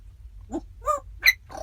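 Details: Fourteen pet African grey parrots riding in a car toward a ferry to Vancouver give four short, rasping, voice-like calls in quick succession, each rising to a harsh higher squawk, over a low engine rumble.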